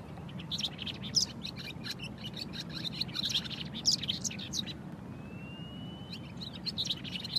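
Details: Barn swallow song: a fast, busy twittering of high chirps and warbles, a thin rising whistle near the end, with a low hum of traffic or wind beneath.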